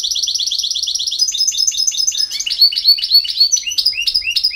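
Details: European goldfinch song from Bosnia and Herzegovina, field-type bird: a rapid metallic trill of repeated notes that breaks into a run of liquid, downward-slurred twitters.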